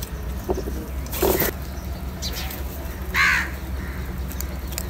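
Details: Crow calling while eating salty food: a short harsh caw, then a louder, rougher caw about two seconds later, over steady low background hum.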